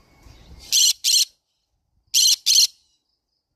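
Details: Two pairs of loud, grating screeches from a green-cheeked conure parrot, the pairs about 1.4 seconds apart in an otherwise quiet setting.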